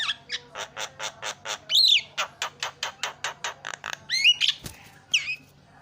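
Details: Javan myna, a lure and fill-in song for coaxing silent mynas to sing, gives a steady run of short harsh chucks about four per second. Rising whistled notes break in here and there.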